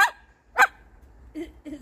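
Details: A pet Moluccan cockatoo barking at the dogs, imitating a dog with two sharp, hoarse barks about half a second apart, followed by two softer, lower notes.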